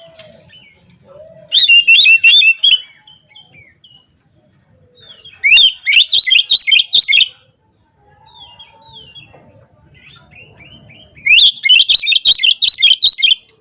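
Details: Oriental magpie-robin singing in the 'ngobra' style to provoke and call rival males: three loud bursts of rapid, jumbled high chirps and trills, each lasting about a second, separated by quieter gaps with soft scattered notes.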